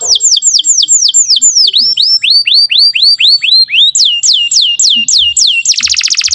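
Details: Canary singing a rich, varied tutor song for young birds learning to sing: runs of repeated downward-curving whistled notes, then a lower run of rising slurs and a higher repeated phrase, ending in a fast buzzy trill.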